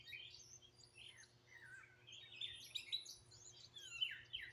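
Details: Outdoor birds in Greenville, South Carolina, 2023, recorded raw with a phone. Rising and falling whistled phrases and bright chirps come from several singers, growing busier toward the end, with a low hum behind.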